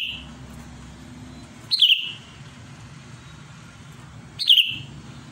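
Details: Sooty-headed bulbul singing actively to call a rival. Two matching short liquid phrases, each starting high and tumbling down into a fading whistle, spaced about 2.7 seconds apart, with a low steady hum beneath.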